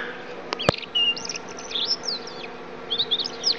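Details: Yellow-fronted canary after moult, tutored with blackthroat song, kept as a caged bird. It delivers a rapid run of high, twisting whistles and trills, with a sharp click near the start and a low hum underneath.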